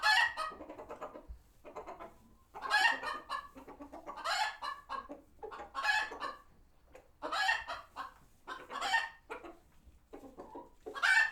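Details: Farm sanctuary chicken flock alert after a hawk passes; rhythmic loud raspy squawks roughly every one to two seconds, filled in between by softer quick clucks.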